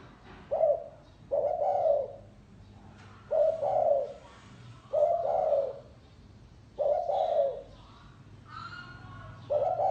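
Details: Spotted dove singing 'gáy gù' style: a string of about seven short, low, mellow coos in loose pairs across ten seconds. A higher chirping bird joins near the end.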